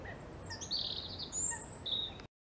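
A European robin sings a brief phrase of high, thin, liquid notes that swoop and jump abruptly in pitch, over a soft background hiss.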